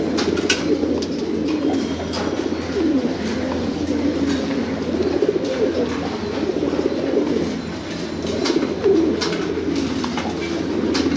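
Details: A flock of domestic fancy pigeons cooing: rolling, low-pitched coos swell and fade in waves over a low hum, with frequent clicks and wing rustles.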